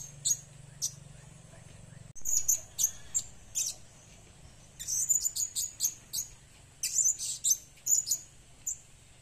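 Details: Lure recording of a blue-crowned hanging parrot: a couple of isolated high chirps, then after two seconds a lively string of thin, piercing tweets, busiest between five and nine seconds, with faint background hum.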